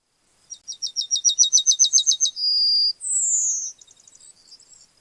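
A Yellowhammer sings a fast run of about a dozen high, dry notes. It ends on a sustained higher note and a drawn, falling note, then fades into soft twitters.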